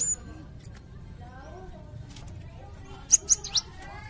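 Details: Melodious Cinereous tit used by bird keepers as a tutor bird: after a quiet stretch, three sharp high chirps in quick succession close the passage, with a soft low hum throughout.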